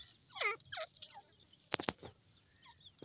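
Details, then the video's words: A francolin (desi teetar) gives two quick, harsh notes that slur downward, followed by a few sharp clicks and knocks, then faint chirps. "dasi Teetar bird sound,irani teetar ki awaaz"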